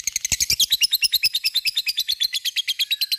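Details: Lovebird in ngekek song, with a steady rattle of high, clipped chirps, about seven per second, slightly buzzy and unbroken across the whole stretch.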